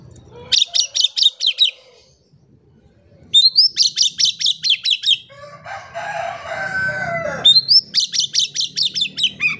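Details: Oriental magpie-robin (kacer) singing in gacor style as a lure for silent birds. Runs of rapid, sharp, rising notes repeat, separated by a harsh, rooster-like crowing passage.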